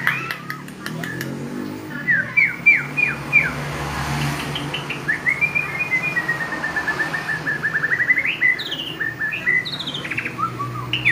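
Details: White-rumped shama delivering a varied song: quick whistled note groups, a long wavering whistled phrase, then rapid repeated notes and high, sharp accents over a steady low hum.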